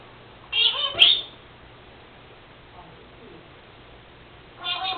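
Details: Pet Senegal parrot that mimics her owner's sneezing makes a loud harsh, voice-like squawk lasting under a second, then a long quiet gap before another raspy chattering burst, indoors over a faint low hum.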